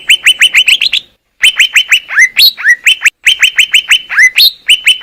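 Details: Greater green leafbird recorded in the wild in Indonesia, clear masteran song: bright whistled notes slurring downward, repeated in quick runs with short pauses, some notes rising then falling, clean background.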